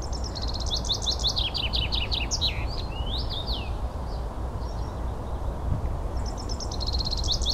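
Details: Common rosefinch recorded in Espoo, Finland, on 9 June 2015: quick series of high chirps, then sliding whistled notes rising and falling, with another burst of chirps near the end over a loud, steady low rumble.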